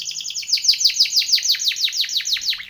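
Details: A Timbrado canary gives a training song of rapid, evenly repeated downward-sweeping whistled notes, about five each second, loud and continuous throughout.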